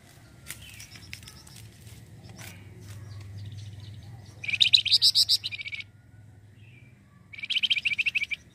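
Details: Flamboyan bird singing lustily as a lure for other birds; scattered faint clicks, then two bursts of quick, high, chattering chirps over a low background hum.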